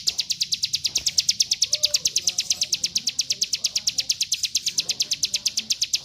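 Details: Fast mountain white-eye song for tutoring other birds: bright, high chirps in a tight, regular stream of about seven per second, with faint scattered sounds underneath.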